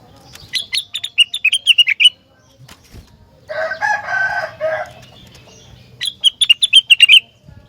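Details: Rengganis in persistent song that prompts other rengganis to answer: two rapid bursts of sharp whistled notes separated by a harsh, raspy, drawn-out call about a second long.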